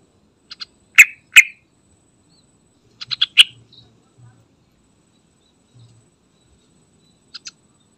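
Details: Yellow-vented bulbul (trucukan) lure recording meant to make trucukan birds sing, suited to a flock; loud, short bubbly notes come in bursts: two strong notes near the start, then a rapid cluster of four, then soft scattered notes over a quiet background.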